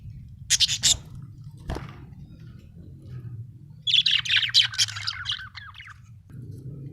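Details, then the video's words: Happy budgie chirping: a short burst of harsh chirps, a click, then a longer stretch of rapid warbling chatter with quick up-and-down notes, over a faint low hum. "happy budgie chirping sound"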